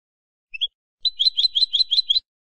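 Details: A European goldfinch phrase in the classic ancestral Málaga style, for teaching young birds: a brief rising double chip, then a rhythmic series of about seven quick, repeated jingling notes over one second.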